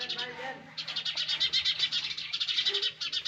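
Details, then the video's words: Sparrow nestlings in the nest beg with a fast, high chatter of shrill chirps, about four a second, over a low steady hum. "Sparrows baby in nest! | Sparrows Sound Effect"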